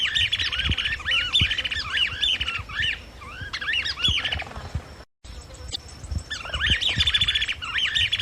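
Chapada Flycatcher singing a fast, squeaky, chattering run of high notes that rise and fall, in bursts with a brief break. Faint low thumps sit beneath.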